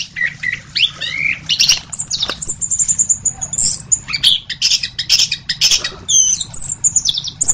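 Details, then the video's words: Orange-headed thrush, known locally as anis kembang, pouring out a dense, busy medley of high chatters, rapid trills and brief whistled slurs over a soft low background hum. "Masteran Anis Kembang"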